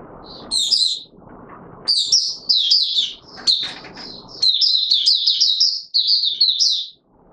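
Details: Courting Oriental white-eye, 25 January 2022, having slept late the previous night: a long, fast, high-pitched warbling song of tumbling twittered notes, broken by brief pauses, with soft low rumbling background noise in the first half.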